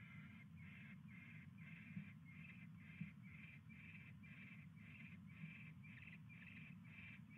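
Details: Barn owls at the nest around 10:22 PM on 22 January 2016 while a mouse arrives; quiet, regular breathy hisses repeat roughly twice a second over a steady low rumble, with a few faint taps.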